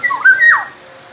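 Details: Black-naped oriole from Sumbawa, kept for training other songbirds, giving one rich fluty phrase of slurred whistles that rise, level off and then drop, lasting under a second.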